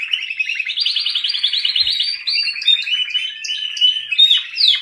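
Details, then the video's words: Continuous canary song made of fast rolling trills that shift between pitch levels, broken up by sharp high whistled notes and upward-sweeping flourishes, with no other sounds. "Best Canary Singing '''Kanarienvogelgesang."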